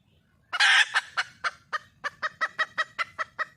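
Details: Red junglefowl hen seeking a male: a harsh opening squawk runs into a long train of evenly spaced clucks, about five per second, gradually steadying in rhythm.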